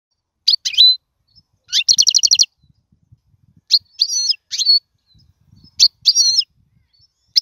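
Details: European goldfinch song, offered as a tutor recording for teaching young birds to sing: separated bright twittering notes, a rapid buzzy trill near two seconds, then phrases with looping whistled notes repeated about every two seconds.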